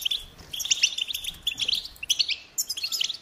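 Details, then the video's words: Goldfinch song in short bursts of liquid, high-pitched tinkling notes and quick twitters, broken by brief pauses, with a clean, quiet background. "Experience the Goldfinch Singing"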